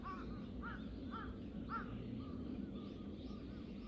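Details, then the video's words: Three crows harassing a hawk, recorded 21 October 2023: a run of short, arched, hoarse caws repeated roughly every half second, fading into fainter calls later, with constant low-frequency noise beneath. "3 crows vs hawk ,カラス,까마귀"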